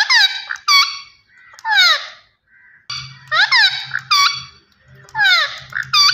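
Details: Talking green ringneck parrot gives raspy, downward-sliding syllables in clustered phrases, with a low steady hum underneath during the second half.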